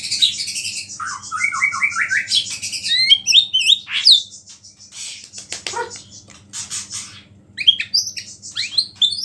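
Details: Energetic white-rumped shama song, filled with small-bird phrases and said to rile other shamas. Descending chains of chirps lead into jumbled whistles, sharp upslurred notes and high buzzy bursts, with a faint low hum.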